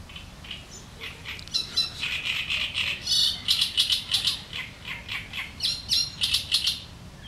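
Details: Sharp chattering of a great reed warbler in the reeds: loud, rasping, scratchy notes rapidly repeated in uneven bursts over several seconds, some harsher and some more clipped, above faint low rumble.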